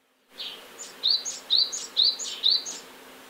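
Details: Great tit singing by a nest box as it tries to chase sparrows away from its territory near the nest; five ringing two-part phrases repeated at a steady, quick pace, with a faint background hum.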